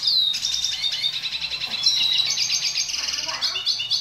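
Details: Dilute-mutation red siskin song, a training recording meant to get young birds singing sooner. The song opens with a whistled downslur, then a long, rapid, buzzy twittering trill at high pitch.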